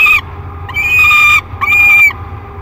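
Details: A 30-day-old peregrine falcon chick calls in a nest box at Great Spirit Bluff in early July 2021. It gives three rasping, level wails of about half a second each, separated by short pauses.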